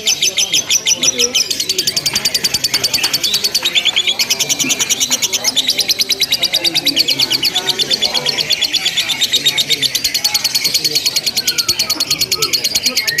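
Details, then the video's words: A lovebird in a simulated singing contest keeps up long ngekek chattering, a high, racing, rattling trill that intensifies after the first seconds and barely pauses, with soft low sounds underneath. "LOMBA LOVE BIRD TERBARU 2025 NGEKEK TANPA JEDA DURASI PANJANG"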